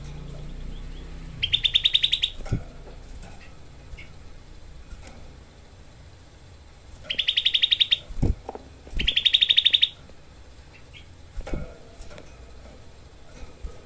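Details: Grey-cheeked bulbul delivering dense, harsh 'tembakan' phrases, three rapid buzzy rattling bursts of about a second each, separated by quiet gaps with scattered soft clicks and knocks.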